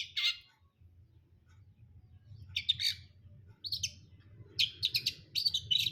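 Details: Cendet brundol, a long-tailed shrike, giving harsh, scratchy high bursts. A single burst comes first, then grouped clusters of rasping chips grow quicker toward the end over a low steady hum.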